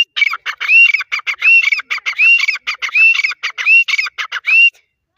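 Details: Grey francolin, known locally as Dakhni teetar, calling in a fast, loud, repeated series of harsh squeaky notes mixed with rising whistled phrases, roughly one per second, a rhythmic, ringing chorus without other clear sounds.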